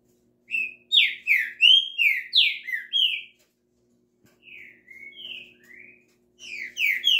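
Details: Green-winged saltator pouring out a rapid string of bright, slurred whistles, then a softer, quieter set of gliding notes after a pause, and finally loud phrases again, with no other sounds.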